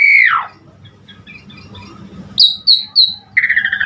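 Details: Asian pied starling in full song played to prompt other starlings to sing: a long descending whistle, then after a pause three short high whistled notes and a fast buzzy rattling phrase.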